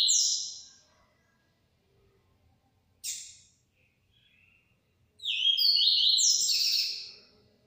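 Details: Yellow-bellied seedeater in full song: a sharp high phrase, a brief buzzy burst at three seconds, then a long run of rapid, overlapping whistled notes sliding between mid and very high pitch.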